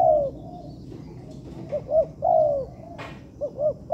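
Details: Spotted dove recorded as training material in an artificial yard: a long falling coo, then paired short hoots and another sustained coo, with a brief wing-flap or rustle and more hoots closing the clip.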